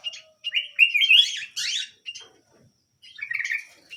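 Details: Small canary singing, described as lively and in full song; warbled phrases with a bright rolling trill, buzzy notes, short pauses between bursts, indoors.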